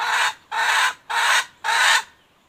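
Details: Female red junglefowl in the wild, 2021, giving four loud, harsh, noisy squawks, each about a third of a second long, spaced roughly every half second, with a quiet background.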